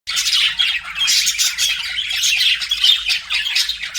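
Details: Pet budgerigars in an aviary, a dense nonstop chorus of scratchy, buzzy warbling and chirps held high in pitch, with no pauses over four seconds.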